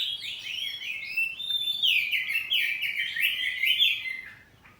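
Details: A home-kept kacer poci oriental magpie-robin pours out a loud ngeplong song in a back-and-forth exchange, with a dense stream of twisting, warbled whistles that fades out at the end.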